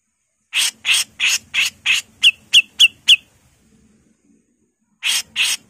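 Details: Female grey-cheeked bulbul in lively 'mbesetan' voice: five rasping bursts, then four sharp, down-slurred whistled notes, a pause of nearly two seconds, and two more harsh rasps.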